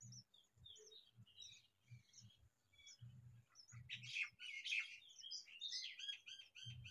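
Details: House sparrow parents, male and female, with their chicks; scattered short chirps, then a louder burst of rapid overlapping high chirps in the second half, over low thumping noise.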